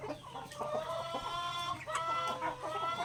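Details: Native chickens in a backyard at feeding time on grains, sustained tonal calls with clear harmonics, rising and falling, over soft pecking taps and a low hum.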